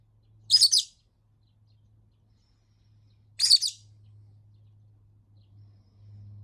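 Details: A pet rosy-faced lovebird, unhappy after being left unplayed with for over a week, screeches two shrill, grating chirps about three seconds apart over a steady low background hum.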